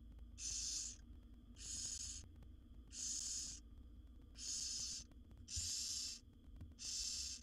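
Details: Seven wild barn owl nestlings beg for food from their mother in a monitored nest box. Six steady, hoarse hissing snores sound about once a second, each lasting over half a second, with low hum beneath.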